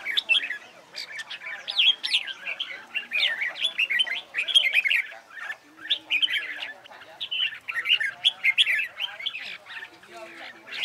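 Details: Continuous red-whiskered bulbul contest song used to train singing: long stretch of lively chirps and warbled whistles, phrases running into one another with a few brief dips.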